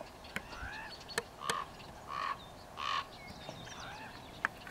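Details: Common raven fledglings in trees near Strasbourg, Saskatchewan, 28 June 2018 around 9:15 a.m., fed by two adults: harsh, nasal begging squawks, three about half a second apart, with sharp clicks and small birds chirping behind.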